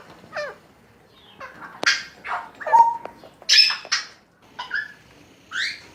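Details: Baby Alexandrine parakeet tended at a Lalukhet Sunday market makes sharp, raspy squawks and slurred harmonic notes in spaced bursts, roughly one per second, in a quiet indoor setting.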